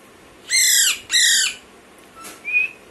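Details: Baby Alexandrine parakeet giving two harsh, loud squawks about half a second each, every note falling slightly at its end, followed by a faint short whistled tone; quiet room background.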